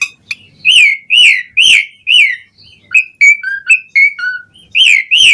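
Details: Asian pied starling song with varied fills, played to get other starlings singing: a series of loud rising-falling whistles, then shorter downslurred piping notes at a quick, uneven pace.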